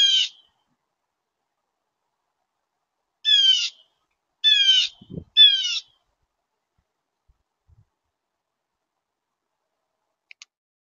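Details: A Blue Jay at a yard feeder in mid-December 2023 gives four harsh, raspy jeer notes, one alone and then three in quick succession, with brief gaps and no other voices.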